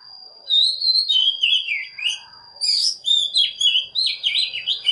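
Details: Decoy Oriental magpie-robin singing to stimulate morning song in other birds: two long, rambling phrases of clear whistles, trills and slurred notes with short breaks, over a steady high whine.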